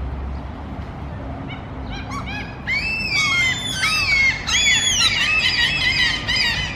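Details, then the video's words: Mew gulls crying at food: after a quiet start, a growing chorus of shrill, drawn-out mewing and squealing calls overlaps densely and becomes loud, with a low background rumble. "Сизые чайки кричат у корма /Mew gull"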